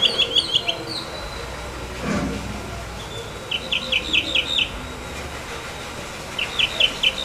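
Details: Tropical Mockingbird in Corozal, Belize, heard in the morning giving alarm calls: quick runs of four or five sharp, high chips, bursts a few seconds apart, over a low background hum.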